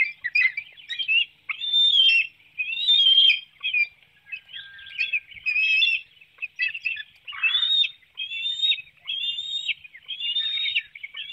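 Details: Bald eagle nest, Hanover, Pennsylvania, 7:04 a.m. on 9 June 2019. An adult feeds a small fish to one young while another flaps about. Near-continuous shrill, chittering whistles rise and fall in quick, uneven bursts.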